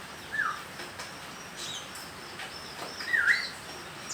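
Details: Juvenile konin practising its song, giving two separate short whistled notes, each dipping then rising, about three seconds apart over steady low noise.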